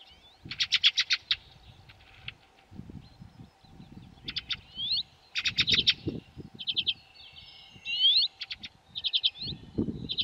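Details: Water pipit in the Hrubý Jeseník mountains, Czech Republic: bursts of high, rapid ticking and chirping notes with a few sweeping whistled calls, amid low rustling, handling noise and a steady hum.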